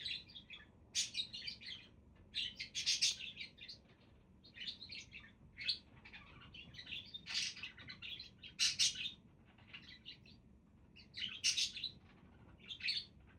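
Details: Several budgies keep up a steady chatter of high, buzzy chirps and squeaky warbled notes in uneven bursts, with brief quiet gaps every few seconds.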